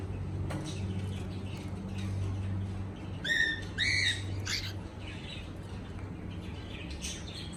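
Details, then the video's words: Cockatiel chirping: two bright, harmonic-rich whistled calls in quick succession near the middle, each rising slightly, followed by a short buzzy note, set against a constant low droning hum. "Cocktail singing and chirping sounds // Beautiful cocktail sounds"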